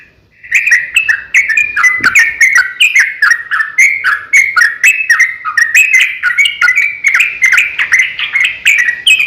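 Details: Sooty-headed bulbul singing its fighting song, a lure for other bulbuls; starts after a brief quiet, then runs into a continuous, lively string of chattering, warbled notes to the end.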